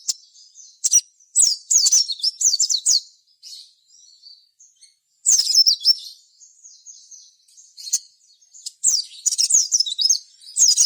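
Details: Crimson sunbird (sogon) in sustained song, a lure to get other sogon singing and responding: three long bursts of rapid, very high squeaky chirps and downslurs, with soft twittering between them.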